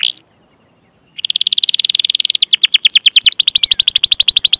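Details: Canary song used to encourage young or non-singing canaries: a short burst, a pause, then a long rapid rolling trill changing tempo twice, with faint rustling beneath.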